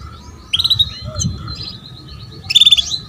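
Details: Female canary luring a male into song: a brief buzzy trill, a quiet gap with soft twitters, then another rapid pulsed trill rising to a sharp final note.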